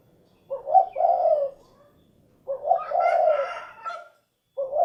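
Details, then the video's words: Mellow cooing of a spotted dove (derkuku), "cukurukuk kuk geruk": two phrases of short hoots leading into a drawn-out coo about two seconds apart, the second with a brief rougher overtone, and a third starting. "SUARA BURUNG DERKUKU / CUKURUKUK KUK GERUK"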